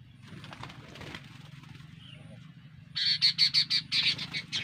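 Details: After a stretch of rustling background, a fierce female sooty-headed bulbul bursts into a rapid, harsh series of about ten evenly spaced notes, loud and chattering, above a low humming drone.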